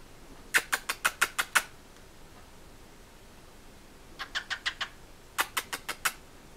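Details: A male cockatiel imitates his owner's kissing sounds with quick bursts of sharp, smacking kiss-like clicks, several in rapid succession; his mate gets fed up and pushes him out of the way.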